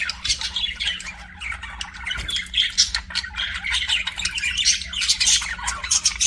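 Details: Several budgerigars chattering at once, a continuous jumble of high, scratchy twitters, squeaks and thin whistled notes, with a faint low hum beneath.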